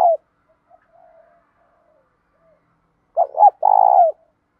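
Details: Spotted dove of a prized song type, kept for training and provoking other doves: a short coo fragment, then after a pause a two-note rising-falling coo followed by a long drawn, slightly falling purring coo, with faint soft notes between.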